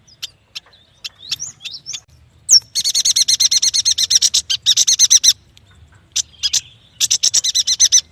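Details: Yuhina, also called prenjak batu, singing loudly. A few scattered sharp whistled notes lead into long, fast rattling trills of bright high chirps, roughly three per second, broken by a brief pause.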